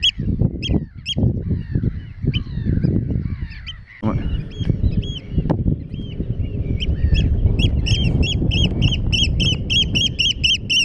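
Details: Eurasian oystercatchers on grassland and mudflats at Terschelling, the Netherlands; shrill, piercing piping notes, scattered at first, then a fast, even run of repeated kleep calls over the last four seconds, above heavy low wind rumble.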